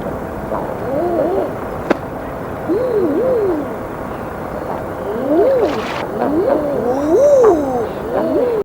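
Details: Several Common Eiders, seabirds whose call can be mistaken for a human voice, give soft, rising-then-falling 'ah-ooo' coos overlapping in an uneven chorus, with a faint background hiss.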